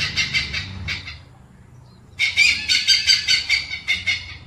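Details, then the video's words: Oriental pied hornbill giving harsh, cackling notes in rapid runs of about three per second, a brief pause, then a longer chattering burst. "Oriental Pied-Hornbill"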